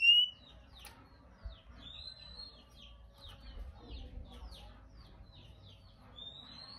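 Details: Male Oriental magpie-robin uttering rasping calls to stir other birds to sing, heard as a run of soft quick chips and short slurred notes between longer rising whistles at the start and end, over faint low background rumble.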